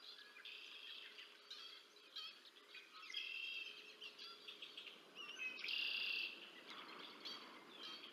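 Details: Bald eagle feeding its two chicks on the Decorah North nest, 30 March 2024; high, squeaky chirps trail into sustained shrill whistling with a bright squealing burst near the end.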